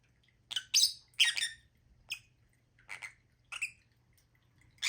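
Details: Lovebird giving scratchy, shrill squawks and chirps at uneven intervals, some loud and some softer, with a quiet hum beneath.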